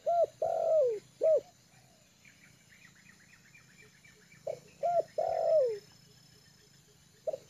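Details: Trained lure spotted dove, settled and comfortable on the ground, gives its cooing call: two phrases of short hollow coos ending in a long, descending drawn-out coo, with faint high chirping of other birds between.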